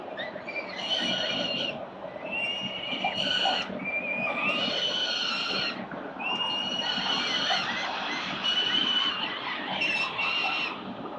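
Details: Peregrine falcon chicks, four babies, being fed breakfast by a parent at a city building nest in Victoria, 4 November 2021: long harsh drawn-out screeching calls in overlapping bursts, over a constant low rumbling background.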